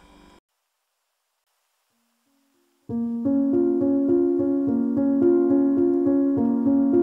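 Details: A soft tone and near silence give way to steady, repeated piano chords, with no animal sounds.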